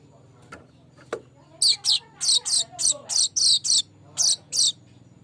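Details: Streaked weaver lure song: two faint ticks, then a rhythmic series of about ten short, harsh, buzzy notes, each lasting roughly a quarter second.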